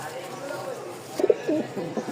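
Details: Rajshahi Giribaz pigeons, a top-collar flying breed kept for sale with their young: a few short, throaty coo pulses burst out after a quieter stretch, over steady background murmur and distant voices.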